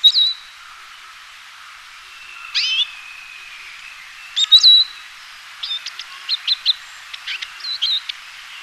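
Eurasian siskin singing: high, scattered chirps and a drawn-out wheezy note, then a quick run of sharp twittering notes near the end, in a quiet setting.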